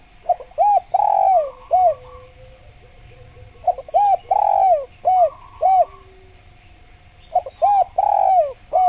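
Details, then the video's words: Spotted dove repeating its call three times, about every three and a half seconds: short rising notes, a long falling coo and a closing hoot. Faint chattering of another bird sits between phrases over a steady hum. "Masteran Tekukur Biar Cepat Bunyi | Natural Jungle Dove Sound Effect"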